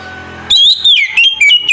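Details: Morning song of an oriental magpie-robin in ngeplong style, played to prompt other magpie-robins to answer: loud, clear whistles gliding down and up in short rapid notes after a hum of background noise.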